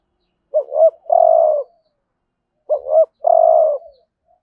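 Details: A spotted dove coos as a lure for wild doves, in the 'thúc gù' style of the 'hạp bổi' voice. Two matching low phrases, each a quick double coo and then a longer buzzy coo, about two seconds apart, in quiet surroundings.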